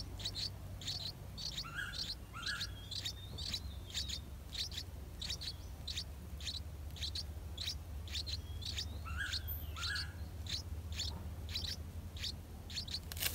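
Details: Yellow-vented bulbul chicks, eight days old, in the nest while parents bring insects all day; rapid high chirps repeated several per second, with a few lower whistled notes mixed in, over steady low rumbling background noise.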